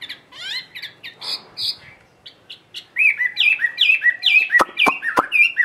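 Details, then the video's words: Tamed caged Chinese hwamei singing solo at midday in the ngũ trường style. Soft varied warbles and chatters give way to loud, clear slurred whistles repeated several times a second, with a few sharp clicks near the end. "HM 320 ngũ trường siêu mẫu thuần đét solo giữa trưa"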